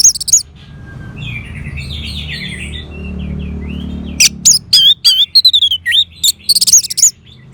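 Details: Orange-headed thrush singing, meant as therapy sound for a silent caged bird: one loud note, a long stretch of quiet chattering warble, then an outburst of sharp, wavering, high whistles in quick succession.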